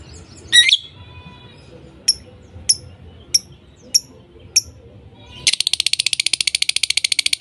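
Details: Lovebirds voicing: one harsh squawky chirp, then five short high clicks spaced about half a second apart, ending in a long rapid buzzy rattle of high notes.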